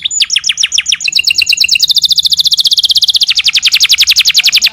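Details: Canary pouring out a fast, continuous trill of high, sharp notes, shifting pitch and speed midway, many notes per second in a long unbroken 'nembak panjang' phrase.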